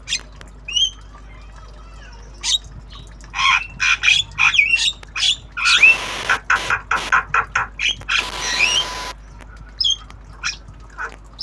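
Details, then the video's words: Tame black-winged starling (jalak kebo) in obyogan training, learning sounds: a long, busy run of harsh squawks, chattering bursts and short whistled notes, with two spells of broad hissing noise in the middle. "Jalak kebo Obyogan Belajar Bunyi"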